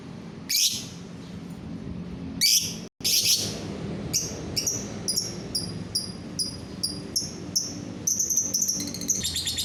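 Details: Lovebird chirping, played to get other lovebirds to join in singing: loud harsh bursts at the start, then a quick series of sharp, high, clicking chirps about twice a second, ending in denser buzzy chatter over a low background hum.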